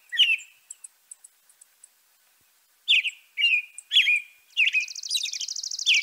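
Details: A European robin's song: one warbled phrase, a string of tiny very high ticks, a pause, then fast slurred phrases ending in a rapid, even buzzy trill.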